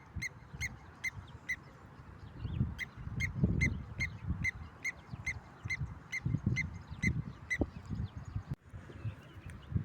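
A blacksmith lapwing gives sharp, metallic 'klink' notes, about two or three a second, like a hammer striking an anvil, over a low rumble of wind.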